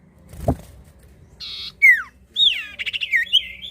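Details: Lively common iora song, played as a lure to get newly caught birds singing: a buzzy burst, a steep falling whistle, then a run of quick warbled, wavering notes, after a soft thump at the start.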